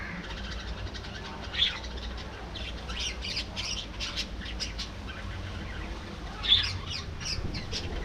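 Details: Colony of budgerigars in an aviary chattering and singing together; scratchy, squawky warbles and short chirps overlap throughout, with two louder sharp calls near two and six and a half seconds, over a steady low hum.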